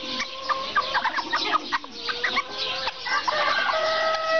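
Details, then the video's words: Serama chickens giving a busy mix of short clucks and harsh calls, several birds overlapping, with a few longer drawn-out tonal calls toward the end. "Serama chickens"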